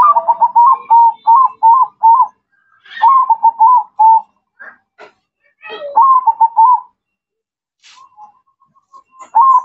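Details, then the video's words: Local zebra dove (perkutut) singing actively: rolling, warbling coo phrases of rapid quavering pulses, repeated about every two to three seconds, with a few short clicks and knocks between phrases. "Perkutut Mocca Gacor"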